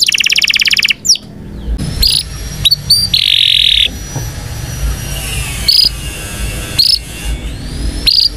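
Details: Indonesian canary training song for young canaries, heard as a quick trill, scattered sharp chips and a short buzzy rattle, with long quiet gaps and some low background noise.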